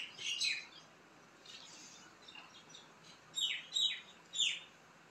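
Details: Ducklings in a pond giving sharp, high, downward-sliding peeps, a cluster at the start, softer ones in the middle, then three loud separate peeps near the end.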